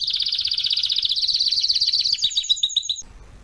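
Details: ['Training song of a canary for young canaries: a rapid, rolling high trill that rises slightly in pitch midway, its notes becoming sharper and more spaced before cutting off into quiet.']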